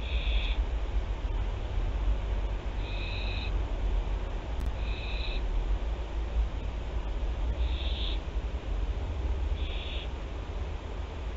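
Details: Barn owls at Théding, France, on 24 September 2021 give five brief, breathy, noisy hisses at uneven intervals, each about half a second long, with a steady deep hum underneath.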